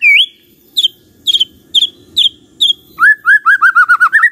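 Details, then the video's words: White-rumped shama, intended to stir other shamas to reply and sing, gives spaced high chipping notes about twice a second, then breaks into a rapid rolling whistled trill with high overtone-rich notes. "belum 1 menit SUDAH BANYAK murai lain IKUT NYAUT dan GACOR dengar ini"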